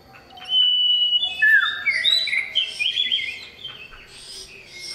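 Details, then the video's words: Energetic male common iora calling to a female, delivering a long flat whistle followed by a swooping downward note and a rapid cascade of ringing, tangled whistled phrases. "Cipoh Jantan Gacor Panggil Betina"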